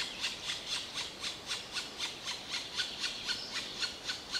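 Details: Quieter, faster black woodpecker squeals, about four per second, harsh and regular throughout.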